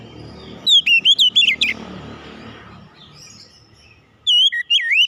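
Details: Oriental magpie-robin (kacer) singing: a burst of loud, clear whistled notes swooping up and down, a pause with faint low rumble, then another short whistled phrase at the end.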